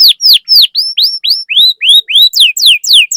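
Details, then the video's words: Canary singing a lure song meant to set other canaries off: bright whistled slurs, first falling, then rising, then falling again, delivered in a brisk, steady series of about three and a half notes per second. "Pancingan Burung Kenari Gacor Cuit Cuit Masteran Kenari Paud"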